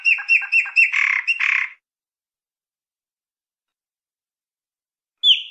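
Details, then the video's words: Chopi blackbird giving a quick series of choppy, buzzy notes, roughly a second and a half long. After a long silence comes a single sharp whistled note. "PÁSSARO PRETO"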